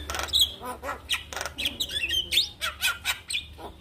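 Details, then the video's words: A Javan myna sings in the morning, played as a lure to spur a quiet bird: harsh squawky clicks mixed with bright whistled slurs, roughly one and a half notes per second. "Pancingan Jalak Kebo Pagi Hari Buat Memancing Semangat jalak kebo Malas Bunyi"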